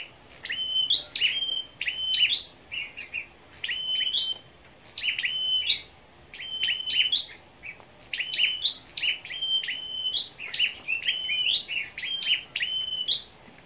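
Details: A long run of rapid, high-pitched ticking chirps from scarlet-backed flowerpeckers singing competitively on the morning of 10 May, phrases of three or four falling flicks repeated without pause over a steady thin whine.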